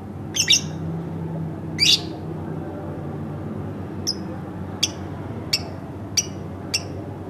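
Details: Pet lovebird kept at home, opening with two harsh screechy squawks, then a run of short sharp chirps repeated about every two-thirds of a second.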